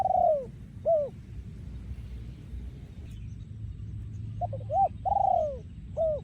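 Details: Male spotted dove kept for breeding, recorded in 2023 and singing in the 'yon khu ang' style. A falling coo and a hooked note open the clip; after a pause come clipped notes, a long coo and a closing hooked note, over steady low hum.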